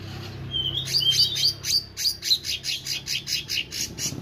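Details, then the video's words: Actively singing meranti bird giving a fast run of high chirps, about four per second, thin and slightly buzzy, with a low background hum. "Burung Meranti Gacor"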